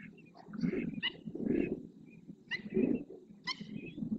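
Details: In the El Rocío marsh of Doñana, Spain, several flamingos perform their display dance of neck stretching and wing opening; deep, grunting honks come in about four separate bursts, each with a short, sharp higher note.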